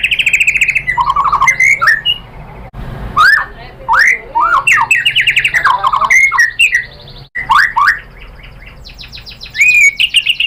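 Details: White-rumped shama (murai batu) in lure song to make others reply: mixed harsh squawky notes and rich slurred whistles in bursts separated by short pauses, ending with a fast high trill and whistle.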